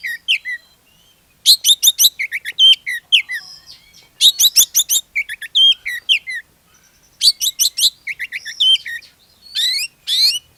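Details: Energetic Oriental magpie-robin lure song for sparking singing in other magpie-robins; dense bursts of high chirps, rising and falling whistles and scratchy trills follow each other almost without pause.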